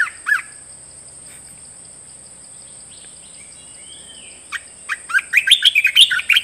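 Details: Red-whiskered bulbul kept in a cage giving a newly learned song: one brief warbled note, a long pause, then a lively run of rapid, bubbling whistled phrases that swoop up and down. A faint constant high tone runs throughout.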